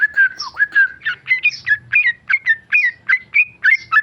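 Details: A tame male sooty-headed bulbul delivering rapid ropel song: about a dozen loud, fluty whistled phrases in close, even succession, each with a quick twist in pitch.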